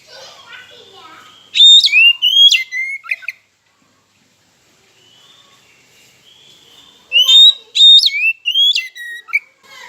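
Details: Oriental magpie-robin singing as a lure to goad rival birds into song: two bursts of bright whistled notes with quick upward and downward slides, about five seconds apart, separated by near silence and soft chattering.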